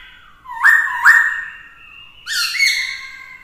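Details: Caged black-throated laughingthrush, with a female, singing to goad rivals: two sharp upward-flicked whistles about half a second apart, a sustained tone, then a rich harsh phrase ending in level whistles.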